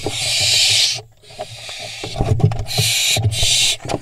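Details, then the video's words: Young barn owls scuffling atop a nest box, Israel, July 2021: drawn-out rasping hiss-screams about a second long, separated by brief pauses, with thumps and rustling underneath. "Fledglings fight on top of box| Barn Owls Israel Cam 2| תנשמת"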